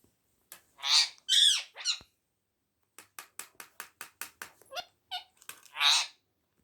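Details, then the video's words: Pet parrot indoors, facing its reflection in a mirror: loud harsh squawks at the start and end, with a rapid series of dry clicks and ticks between them. "Parrot talking with mirror"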